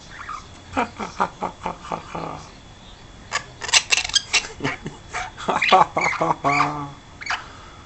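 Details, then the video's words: A 12-week-old pet princess parrot gives a run of short, harsh chattering notes, about two or three a second, with brief pauses between bursts and a few louder squawks. "Princess Parrot"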